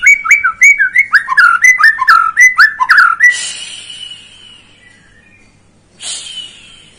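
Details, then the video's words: White-rumped shama singing to stir a young bird to sing: a rapid series of about ten clear, slurred whistled phrases, each with a short upward then downward twist, followed by fading high notes and a brief thin burst. "Pancingan Murai batu paud agar emosi"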